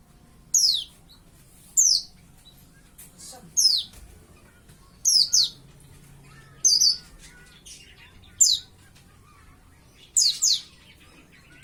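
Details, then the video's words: Juvenile pleci white-eye, roughly five months old, beginning to sing: a series of about nine thin, high downward-sweeping chirps spaced one to two seconds apart, some doubled, against a soft background hum. "burung pleci burung kaca mata"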